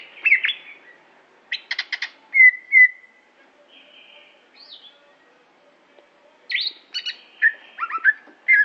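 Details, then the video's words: Aceh greater green leafbird song: scattered whistled notes and rattling bursts, a long level whistle, then a quiet stretch before a final cluster of rising and falling slurred notes. "Cucak Hijo Aceh"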